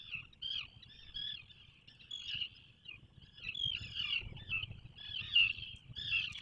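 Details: Atlantic puffins at a breeding burrow 21 miles off the Maine coast; short rasping, chirping notes in uneven bursts, high and buzzy, over a soft low background rumble.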